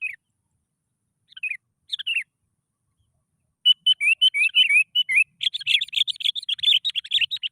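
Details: Sooty-headed bulbul lure song for starting other bulbuls singing. Scattered descending chirps lead into a long, fast, bubbling stream of warbled notes that grows denser toward the end.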